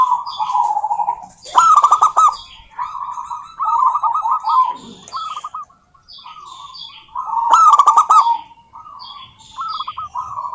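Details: Female local zebra dove calls a rival with rolling, pulsed coo phrases of varying length, two loud rattling bursts, and light high-pitched chirping from other birds in the background.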